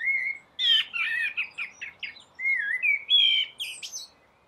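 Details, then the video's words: Early-morning rooftop song of a common blackbird during the dawn chorus, a run of rich, mellow whistled notes broken by short scratchy chirps, then more rising fluted phrases ending on a high squeak; clear, quiet background. "Blackbird singing"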